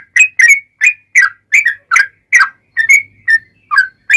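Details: Yellow-vented bulbul singing an energetic long rapid phrase used to coax other bulbuls to answer. Bright gurgling whistles, some doubled, repeat about two to three times a second, with a faint low hum briefly audible.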